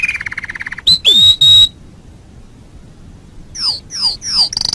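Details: Canary master song for bird training: a fast low buzzy trill, then steady whistled high tones, a pause, and a series of sharp descending swept notes; no background sounds.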